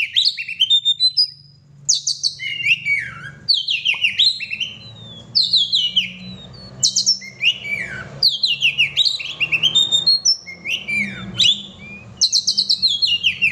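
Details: Oriental magpie-robin in energetic song: repeated phrases of sharp, descending whistles and rich warbles delivered in quick succession with brief pauses, over a steady low hum.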